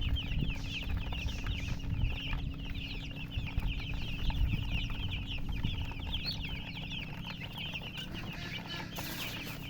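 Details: Many domestic chicken chicks chirping together: a dense, continuous chorus of high, short, downward-sliding peeps repeated rapidly and overlapping. Heavy low rumbling and a steady background hum sit beneath them.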